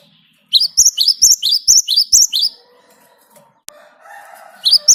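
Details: Parus major, the Great tit, in full continuous song used to lure other birds into singing: after a short silence comes a quick run of high, bright repeated notes, followed by a sharp click and a low hum.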